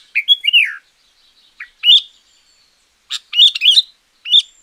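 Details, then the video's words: Champion sooty-headed bulbul singing, meant to lure wild birds or train quiet ones: a swooping, liquid phrase, then bright chirped bursts and a quick warbled run, in clean quiet surroundings. "Suara Pancingan Burung Kutilang Gacor Juara.Cocok Untuk Masteran Burung Kutilang yang Malas Bunyi."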